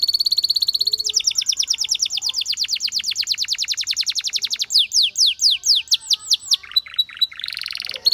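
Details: Canary song with a fast high trill, then a long tour of rapid sharp down-slurred notes that slows into wider sweeping whistles, then a brief steady tone and another trill.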